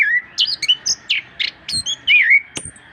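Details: Orange-headed thrush singing energetically, from a master recording to prompt birds that rarely sing: bright whistled notes, short buzzy chirps and a longer warbled slur, delivered in quick varied bursts over a low background hum.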